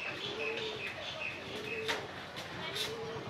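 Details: Pair of racing pigeons: low, soft coos about every second and a half, half-buried under busy high chirping from small birds and a steady background hiss.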